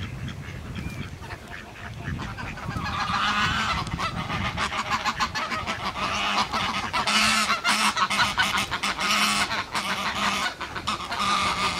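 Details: A pair of geese honk in tandem, something they rarely do. After a quieter start the loud, rapid, harsh squawks build into a dense overlapping chorus for most of the stretch.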